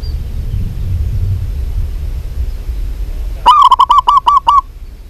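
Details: Local zebra dove singing vigorously. After several seconds of low background noise, a run of about eight clipped, hollow cooing notes at an even pitch, each note separated by brief gaps.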